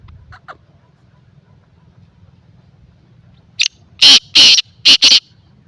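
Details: Two soft early notes, then a black francolin's loud call: a short rasp followed by four harsh, scratchy notes in two tight pairs. A faint low rumble continues throughout.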